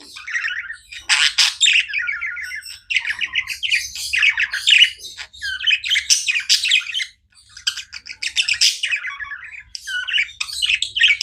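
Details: Budgerigars kept as pets chirp without pause, a rapid stream of raspy, wavering warble phrases and sharp squeaky notes, with one short quiet gap near the end.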